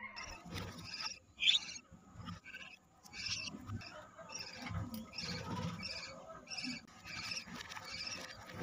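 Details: Softer budgerigar chirping from a colony with some 25 newborn chicks; short high chirps in irregular clusters over a steady background hum, one sharp louder squeak early on.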